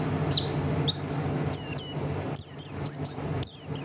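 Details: Oriental white-eye of the buxtoni form singing thin, very high whistled notes in quick separate phrases, some sharply falling, others level or rising, with a faint low hum beneath.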